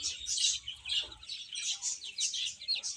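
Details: Young chicks feeding and playing, chirping rapidly in an overlapping group. Each note is short, high and shrill, coming in quick, uneven clusters.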